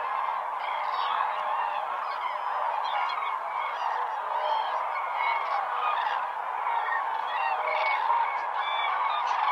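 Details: Large troops of common cranes gather at dawn on Lake Hornborga, sounding fanfares before the sun rises; many birds trumpet at once in a steady, ringing wall of overlapping honks that never drops away.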